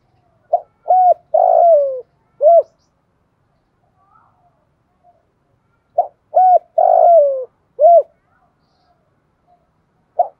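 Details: Spotted dove lure song used to train a young bird to sing: two phrases of deep cooing notes, a few short coos then a long drawn-out falling coo, separated by about three seconds of silence.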